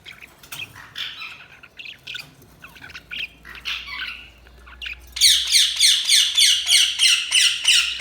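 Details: Budgerigar chatter of soft warbles that gives way to a loud, regular series of harsh chirps repeated about three times a second.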